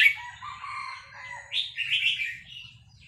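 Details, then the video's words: Red-whiskered bulbul from Vietnam answering a played recording of newly hatched chicks; soft lower harmonic notes underlie the start, then fast, bright warbled phrases follow in quick succession. "นกกรงหัวจุกเวียดนาม ต่อดอกเร็ว เปิดยั้วลูกนกฟักแล้วคึกร้องตาม"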